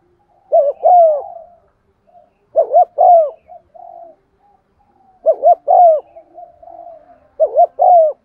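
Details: Decoy spotted dove cooing to prompt rival doves, 'giọng son' voice: four low, mellow phrases of two short coos and one long sliding coo, separated by quiet hummed notes.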